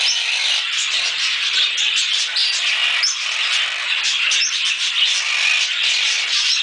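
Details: A pair of pet monk (quaker) parakeets chatters nonstop with harsh, overlapping screeches and squawks.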